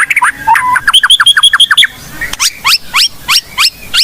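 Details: Blorok white-rumped shama singing to lure and stir other shamas: a fast run of sharp repeated notes, then evenly spaced upward-sweeping whistled chirps about three per second.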